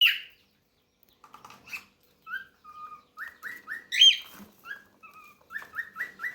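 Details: A cockatiel family, with parents feeding their very young chicks, gives short, rising chirps repeated in quick, rhythmic runs, mixed with a few sharper squawks.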